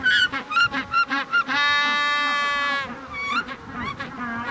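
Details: Magellanic penguin (Spheniscus magellanicus), male on the Patagonian coast in the September mating season, head thrown back, brays: quick harsh honks, one long donkey-like note, wheezy gasps; courtship call seeking the female's approval of his chosen burrow just before egg-laying.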